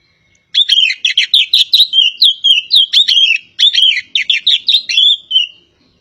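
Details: Javan kacer poci magpie-robin in lively song: dense bursts of bright, wavering whistles and chirps strung together for about five seconds, then falling quiet.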